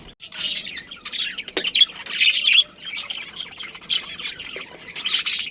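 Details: A breeding budgerigar colony gives loud, harsh squawks and chattering chirps in overlapping bursts, near-continuous with brief pauses, all high-pitched with almost no low background sound.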